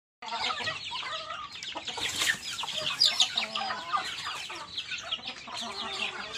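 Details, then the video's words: Baby chickens (chicks) calling while eating: a dense chorus of high, thin downward-slurred peeps from many chicks at once, steady throughout, with a louder rustling burst near the middle. "HUNI NG MANOK HABANG KUMAKAIN, CHICKEN SOUND EFFECT"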